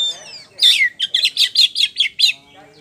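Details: Oriental magpie-robin of the poci variety, a champion ngeplong singer. The end of a whistle drops away, then seven loud, evenly spaced, harsh chirping notes follow in quick succession, about five per second, before quiet.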